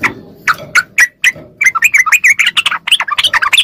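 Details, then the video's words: Yellow-vented bulbul singing in the fast ropel style, used as training audio to prompt captive bulbuls to answer. A few spaced, bubbly notes give way to a dense run of warbling, chattering phrases. "MASTERAN TRUCUK CEPAT ROPEL||SEMUA TRUCUK LANGSUNG NYAUT||TERAPI TRUCUKAN"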